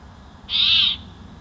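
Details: Bald eagle pair at their Big Bear Valley nest on a May 2024 evening: a lone loud, piercing high squeal of about half a second over soft background noise, recorded by a nest camera.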